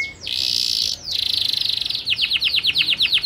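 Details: A local canary (Serinus canaria) sings a high buzzy roll, then a rapid rattling trill, then a run of quick downward-sweeping whistled notes, several each second.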